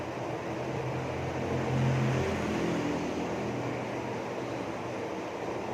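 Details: A steady low mechanical drone with broadband rumble, like a running vehicle or engine, continues throughout with no animal voice.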